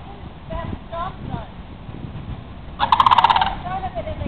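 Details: Dancing pair of sandhill cranes at a Palm Bay, Florida park give one loud, vibrating rattle lasting under a second, preceded by soft, thin, wavering notes.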